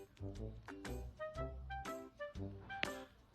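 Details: Music with brass-like tones and some speech fills the recording, with no animal voice heard.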